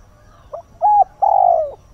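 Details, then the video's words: A spotted dove, used as a decoy, gives dawn cooing to call and stir wild birds: soft, low, hollow coos, a brief note then two longer ones, the last drawn out and sliding slightly down. "Chim cu mồi // Tinh sương gáy gọi, kích thúc chim hoang dã"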